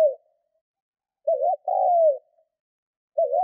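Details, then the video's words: Spotted dove used as a decoy for luring wild birds, cooing a wavering two-part note and then a long, smooth, falling coo, followed by another wavering start. Otherwise silent. "Chim cu gáy mồi Thúc - Gù hay kích bổi"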